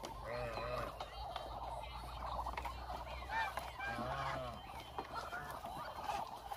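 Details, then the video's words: Around a thousand hungry Muscovy ducks moving about as a flock; a dense, unbroken chorus of overlapping nasal honks and harsh calls, with a constant low rumble in the background. "1000 Hungry Muscovy Ducks"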